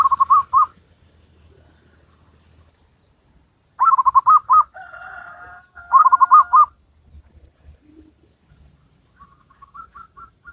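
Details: Wild local zebra dove singing Salendro-style: three phrases of rapid, trilled low coos, with a steady two-tone whistle sounding between them and a thin, higher series of short notes near the end.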